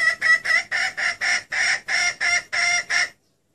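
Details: Female wild junglefowl giving a clear lure call to attract males. About eleven rapid, clipped clucks in quick succession, each harsh and bright, lasting around three seconds before abrupt silence.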